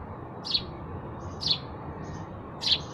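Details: Sparrow chirps, three bright high notes about one second apart, each followed by a faint thin tone, with steady low background hum.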